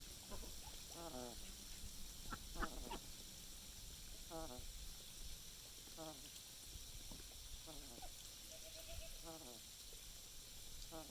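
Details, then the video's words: Duck snoring while sleeping: soft, nasal, stacked bursts, each about half a second, come in irregular clusters every one to two seconds over a steady low hum and hiss. A brief spoken exclamation follows. "duck snoring"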